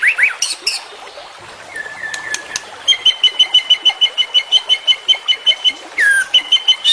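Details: White-rumped shama full-content training song: harsh opening notes, a flat drawn whistle, then a steady rapid chatter of clipped repeated notes, about three per second, and a final downslurred whistle.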